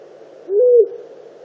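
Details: {'caption': 'A single short, low, slightly rising hoot from a long-eared owl disturbed near the nest, against faint steady background hiss.'}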